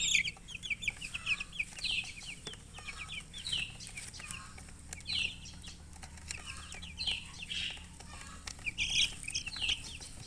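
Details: Coloured chickens give high, thin chirps in quick clustered bursts, several birds overlapping, with a soft flutter of wings and a faint low hum underneath.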